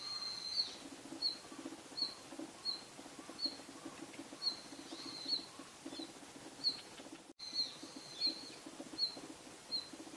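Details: A timid Red-flanked bluetail in the open area of a hillside behind a home on 25 January 2022, crowded out by a Daurian redstart, shrike and pale thrush, gives thin, high single call notes about every three-quarters of a second over a low hum and a sharp click.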